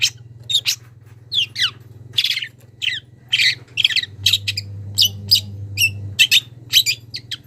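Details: Young wild long-tailed shrike calling a rival and beginning to show its mimicked phrases: harsh, scratchy high notes and downslurred chirps in quick irregular bursts, about fifteen in seven seconds, over a steady low electrical hum.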